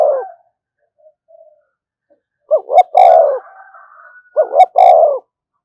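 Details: Spotted dove uttering a call to provoke other doves: the tail of one coo, then two full phrases of two quick coos and a long falling coo, about two seconds apart, with a faint steady tone between.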